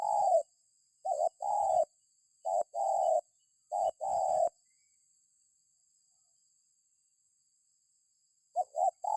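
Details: Spotted dove, used as a lure for other birds: a series of mellow coo phrases, each a short stuttered note and a longer coo, then a long gap and a fresh phrase starting.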